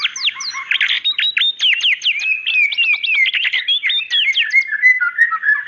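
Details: White-rumped shama, female, calling the male with a loud, unbroken stream of sharp slurred whistles and chattering notes, ending in steady lower whistles.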